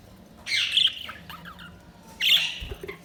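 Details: Budgerigars chirping: two bursts of bright, warbling squawks and chirps with rapid high notes, separated by a short pause, with faint low room noise underneath.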